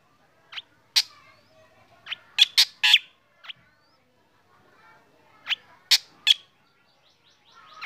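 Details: Black drongo in the morning while sunned, its song setting other birds off; clusters of sharp chips and harsh notes with quiet gaps, rising noise at the end.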